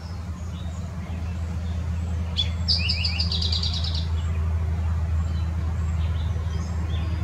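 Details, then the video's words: In Southeast Wisconsin, an Eastern Towhee sings one bright phrase: a couple of clear opening notes followed by a quick ringing trill, over a steady low engine-like rumble. "Eastern Towhee Singing"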